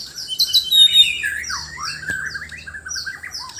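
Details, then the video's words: Mate-seeking white-rumped shama from Sabah, Borneo, in a loud singing contest: bright piercing whistles and a high ringing note at first, then lower rolling warbled phrases and rising slurs. "Murai batu Sabah: aksi mencari pasangan lawan suara keras"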